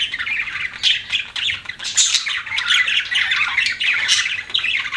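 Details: Budgerigars giving harsh squawks mixed with rapid chirps and warbling chatter, continuous and fairly loud, over a faint low background hum.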